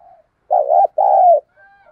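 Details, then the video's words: A decoy spotted dove gives one eager coo phrase: a wavering, slightly rising first note and a longer, steady, gently falling second note, then quiet. "Tiếng Chim Cu Mồi Thúc Gù Căng Lửa"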